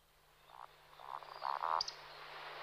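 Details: A male Eurasian woodcock in a roding display flight, with two males flying, gives a few low, croaking grunts in quick succession, then a sharp, high squeaky note at the end, over a quiet background.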